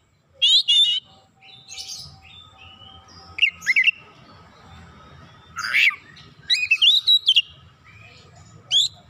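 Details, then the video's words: Oriental magpie-robin in full vigorous song for provoking rivals, spilling mimicked phrases: scattered high whistles, a harsh scratchy burst, then a quick stuttering string of bright whistled notes, with a low rumble of background noise throughout. "PANCINGAN KACER LANGSUNG GREGET GACOR BONGKAR ISIAN"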